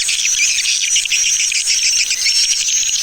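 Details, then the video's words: Swiftlets in the 'Tarik Permata' lure recording, made to draw birds in: an unbroken, shrill mass of rapid twitters with brief bright whistled notes over the top. "Suara Pemikat Walet TARIK PERMATA"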